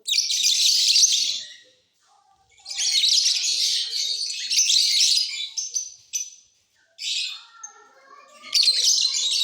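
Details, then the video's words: Mutation lovebirds kept in a flying cage, singing in the off season. Long stretches of rapid, scratchy, high chattering with squeaky twitters come in four bursts, broken by short silences and faint lower warbling notes. "Love birds Mutation singing during off session"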